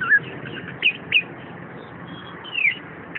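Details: Short, spaced whistles from a caged orange-headed thrush: a few sharp upslurred and downslurred notes, ending in a longer descending whistle, against quiet background noise.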